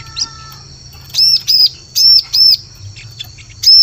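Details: Bar-winged prinia lure call for forest luring: well-spaced loud, high, arched chirps, about five in under four seconds, over a low steady hum.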